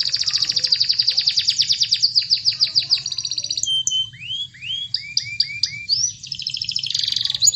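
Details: Singing canary, a recording meant to stir a silent bird into full song: rapid rattling trill that slows into separate notes, then long rising and falling slurred whistles and a closing buzzy trill.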